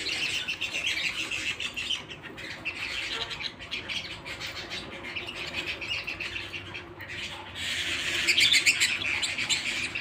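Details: Canary singing at home in the house: a dense, continuous run of high, rapid trills and chirps, rising in volume and growing brighter toward the end.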